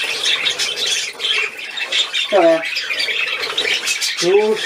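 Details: Budgerigar at play, 13 December 2019, warbles in a continuous high, grating twitter while a woman's voice speaks German twice over the bird.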